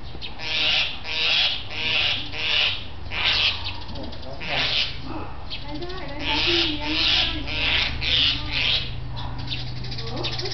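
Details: A common myna near a house by a snake-rich hill in Thailand gives an alarm call while fighting off a snake: harsh, rasping shrieks repeated in quick bursts about twice a second, with people talking in the background.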